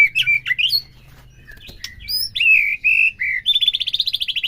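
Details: Song of a white-rumped shama, used to rouse a captive bird into full song: varied whistled notes and slurs, then a fast even trill of repeated high chips at the end.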